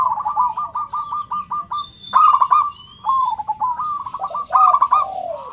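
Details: Zebra dove, local type with a loud crystal-clear voice, singing as a lure to stimulate silent doves: rapid staccato trilled coos in a row, then rippling phrases, with a faint high whistle in the background.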